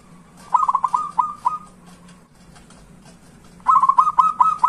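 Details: Zebra dove singing as a lure for silent doves: two brief clusters of quick, clipped coo notes with a quiet gap between, and a constant low background hum.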